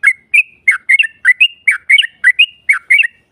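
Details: Yellow-vented bulbul giving a long 'ropel' song meant to anger a rival into replying: loud, quick, gurgling whistles in tight pairs, roughly three notes a second, with a slightly harsh edge.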